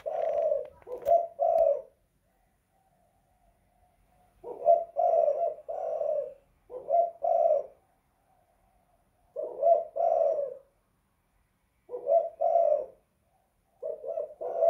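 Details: Spotted dove indoors repeating hoarse coo phrases every two to three seconds, short doubled notes leading into longer ones, with a sharp click near the start.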